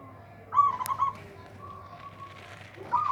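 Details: Local zebra dove prized for a loud voice that outdoes rivals, giving one clear trilled coo followed by a faint steady whistle-like tone and the start of another phrase, with a click.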